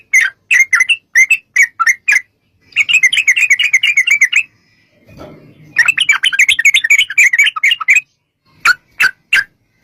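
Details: Lure song of a sooty-headed bulbul in the long 'ropel' style: separate chirpy notes give way to fast rattling bursts of tumbling notes, broken by a short low rustle before the chatter resumes.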